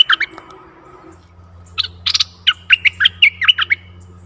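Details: Bulbul used as a decoy to draw in a very old wild bird, 11 August 2021; lively sequence of quick, bubbly, up-and-down whistled notes following a few opening chirps, with a steady low hum underneath.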